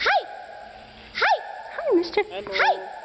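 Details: Common raven talking: loud, clear speech-like syllables, each a quick rise-and-fall in pitch, about four in three seconds, with a brief rattling clicky burst in the middle.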